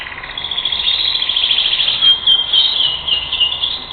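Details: European goldfinch, April 2021, pouring out a fast continuous twitter of rapid chattering notes with a few brighter ringing tones midway, over a steady low hum.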